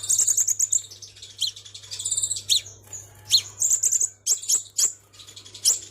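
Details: Crimson sunbird lure call from Vietnam, with very high, thin, rapid trilled twitters and sharp chips in quick bursts, and a faint steady low hum behind.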